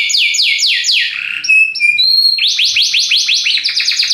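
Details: Belgian canary in strong song: rapid descending sweeps repeated several times, a few short pure whistled notes, then a quick series of rising-falling notes, loud and close.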